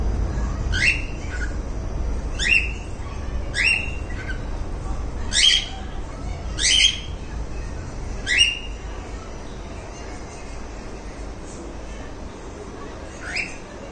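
A cockatiel gives harsh, rising screechy calls, repeated every second or two against a low background rumble.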